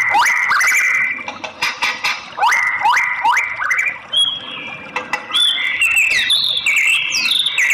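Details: White-rumped shama female calling the male to provoke his song: a string of rising whistles, each sliding up then holding level, repeated roughly every half second, followed by higher thin whistled notes and brief chatters.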